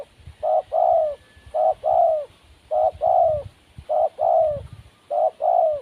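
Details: Wild spotted dove cooing steadily, each phrase a short note then a longer falling coo, repeated about every second and a bit, four phrases with quiet low background noise.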